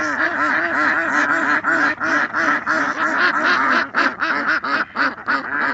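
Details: Several ducks in their natural state calling together, a dense, continuous chorus of overlapping nasal quacks, loud and harsh, with rapid uneven rhythm throughout and no other sounds standing out.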